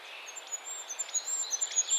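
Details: A Goldcrest in Estonia gives a thin, very high, sibilant run of tiny notes that barely rise above a soft background hiss.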